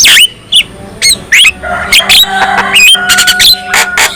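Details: Black-winged myna song used to get other mynas singing and agitated: a few bright rising whistles and squeaks, then rapid rattling buzzy notes over a low steady hum.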